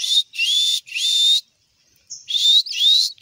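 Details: Pink-necked green pigeon kept as a pet whistling. Several drawn-out, slightly rising notes come in quick succession, then a short pause, then two more upslurred whistles.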